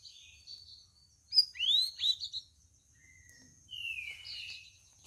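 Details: Sooty-headed bulbul on its fourth day of care, answering other birds on an overcast day: rich, slurred whistles sweeping down from high to mid pitch, then a level whistled note, with thin high chirps of other birds.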